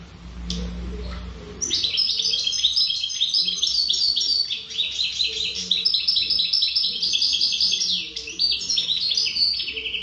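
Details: After a brief quiet start, a European goldfinch of wild stock (khaloui) bursts into lively song, a nonstop jumble of bright chirps, rapid trills and short buzzy notes lasting to the end.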